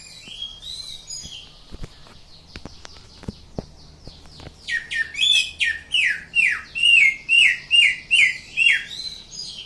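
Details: Greater green leafbird from Indonesia singing in the ngatrok style: scattered high whistles and a quiet pause, then a fast run of loud, sharply downslurred chirps repeated about twice a second, each note sweeping across a wide pitch band.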